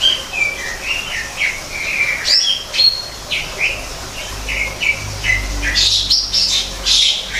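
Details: Greater green leafbird singing in a man-made forest aviary, a rapid series of short downslurred whistles repeated about twice a second, closing with a harsher, higher chattering flourish.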